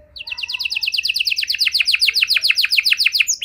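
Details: Canary singing a long special song meant to set other canaries singing again; a quickening run of high falling slurred notes, repeated about seven times a second, carries through the whole stretch.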